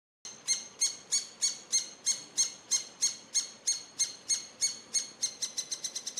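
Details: Eurasian three-toed woodpecker nestlings being fed beg with harsh, high rasping calls, about three a second, quickening into a rapid burst at the end.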